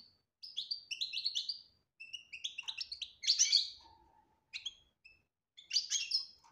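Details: European goldfinch in the betbta and tasfia song style: clear whistled trilled phrases, then buzzy chattering notes, separated by brief pauses, with a faint low hum near the middle.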